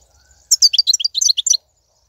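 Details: Wild European goldfinch, 2019 recording meant to encourage caged goldfinches to sing: a rapid run of liquid, twittering high notes lasting about a second, with a faint low hum beforehand.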